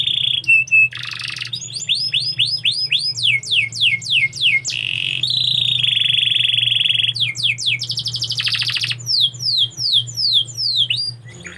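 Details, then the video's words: Canary song: rapid series of high swooping notes, steady buzzy trills and rolling tours that shift every second or two, with a low steady hum beneath. "KICAU BURUNG KENARI"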